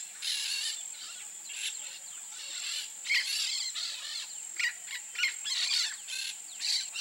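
Peach-fronted parakeets give harsh, grating screeches in short bursts, several a second at times, over a steady high insect drone.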